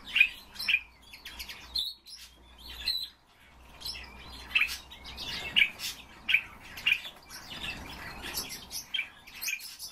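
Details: Common starling kept indoors: bursts of crisp clicks and squeaky high notes, a quiet gap around the middle, then a busier clicking, rattling stretch.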